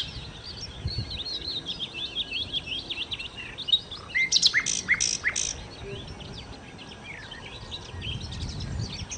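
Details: Nightingale (sikatan londo) in full song: a dense stream of scratchy warbling and twitters, with a few loud, sharp, widely spaced notes near the middle.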